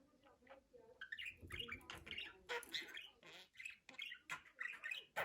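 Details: Budgerigar chattering with harsh squawky notes and scratchy warbles, growing busier after the first second. A soft low rumble sits underneath.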